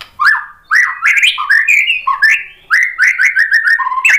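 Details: Song of a white-rumped shama, meant to rouse other shamas to answer: varied loud whistled phrases, swooping up and down, separated by brief pauses, with sharp clicking notes mixed in.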